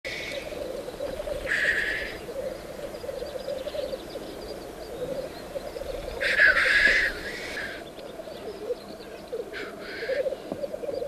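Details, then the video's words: Black grouse courting at the lek while still dark before sunrise: a steady low bubbling cooing runs throughout, broken by a few loud hissing, sneeze-like bursts near 1.5, 6.5 and 10 seconds. "Corteggiamento e accoppiamento del gallo forcello o fagiano di monte."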